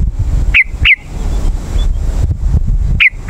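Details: Yellow-vented bulbul call used to attract wild birds: single sharp, sweeping notes given in pairs, one pair early and one at the end, over a constant low background rumble.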